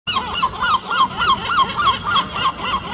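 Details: Herring gull, paired with a lesser black-backed gull at the edge of the Serpentine near the island, giving harsh nasal honking notes in a fast run, three or four per second, faint background noise.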